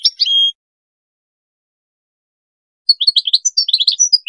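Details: Goldfinch song used for teaching hybrid chicks to sing: a short high twittering phrase with a drawn-out note, a long silence, then a burst of quick, jumbled high chirps and trills. No other sounds.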